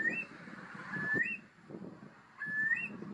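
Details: Eurasian curlews in the Deggendorf district of Lower Bavaria, Germany, where the species is critically endangered: clear whistled notes that slide slightly upward and end in a higher lift, given three times, over a steady background hum and rumble.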